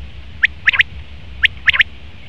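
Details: Male common quail: a single sharp note, then a rapid three-part phrase, repeated once a second later; bright, clipped syllables against low background noise.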